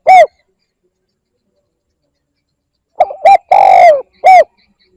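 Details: Cooing of a spotted dove, a call meant to lure other birds: one lone short coo, a pause, then a full phrase of two brief notes, a long sliding coo dropping in pitch and a short closing note.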